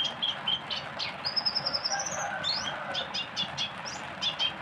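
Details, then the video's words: Oriental white-eye in fast 'tembakan' song: high chirps, a long thin whistled note, then rapid twittered bursts and sharp sweeping notes over soft hiss. "tembakan pleci nya pedes"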